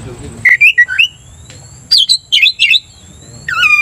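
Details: Oriental magpie-robin provoking another magpie-robin; a quick series of clear whistled notes at varying pitches, a pause, rapid trilled phrases, then a long sliding whistle with strong overtones.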